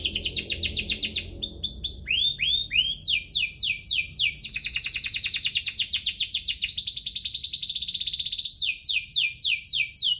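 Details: Energetic canary song of chirps and rolls, played to stimulate other canaries to sing: long fast pulsed trills alternating with series of sharp falling sweeps and a few upslurred notes, continuous for ten seconds.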